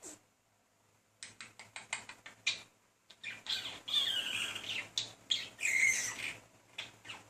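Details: Male budgerigar persistently courting a female budgie indoors; after a brief pause, a run of rapid clicking ticks gives way to loud, rambling warbles with whistled squeaks and buzzy chatter.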